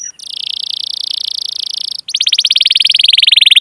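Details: Canary singing a rolled trill used as a training lure for young, untrained or silent canaries. A high, steady buzzy trill, a brief break, then a faster pulsed roll that slowly drops in pitch.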